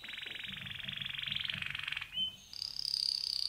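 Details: Male pet canary singing: a rapid, rattling trill in the high register running for about two seconds, a brief lower note, then a thin, steady high whistle that pulses toward the end.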